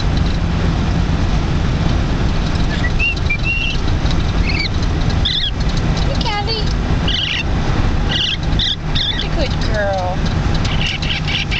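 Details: Female turquoise Lineolated parakeet, 9 weeks old, riding home in a jeep, giving scattered soft chirps and short falling squeaks over a steady low rumble of road noise; rustling from someone eating chips.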